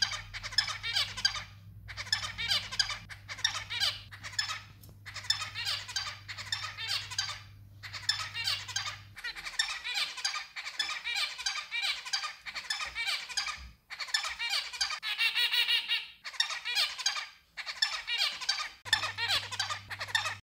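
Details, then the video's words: Song of a white zebra finch kept as a pet: rapid strings of harsh, buzzy, nasal notes in bursts of one to two seconds with short gaps, continuing nonstop; a faint low electrical hum at the start and end. "Chant Mandarin ( Zebra Finch Singing )"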